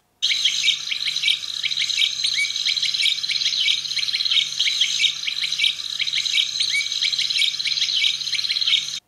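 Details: An African Pygmy Goose in southern Africa gives a steady stream of high, twittering whistled notes, quick and overlapping, with a faint low pulsing hum beneath.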